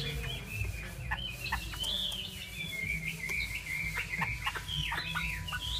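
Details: Chinese hwamei in full song: a flowing, warbled whistle that wavers and slides between notes, broken by brief sharp chips, with low hum in the background.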